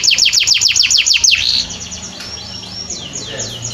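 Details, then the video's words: Canary song for training other birds: a quick run of about a dozen sharp descending chirps, a brief buzzy note, then softer, fainter arching whistles. "Masteran Burung kenari"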